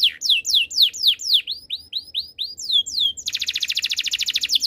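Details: Canary song opening with a series of loud, evenly spaced down-slurred whistles, followed by a dense, rapid high trill of repeated pulses.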